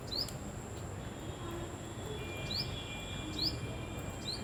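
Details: Tailorbird chirping: brief upward-slurred notes, one early then three more after a pause, set against soft outdoor background noise, a steady high hiss and a faint thin whine.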